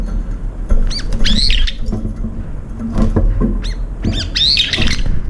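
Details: Brown-eared bulbuls fighting to claim a feeding bowl: shrill, strained squealing calls in short clusters, with rustling and thumping noise throughout.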